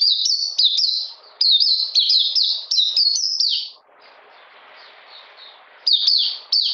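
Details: Oriental magpie-robin recorded 13 June 2020 in cold, rainy conditions. It produces quick bursts of high, falling whistled notes, breaks off into a two-second hush of faint background hiss, then resumes with more sharp whistles.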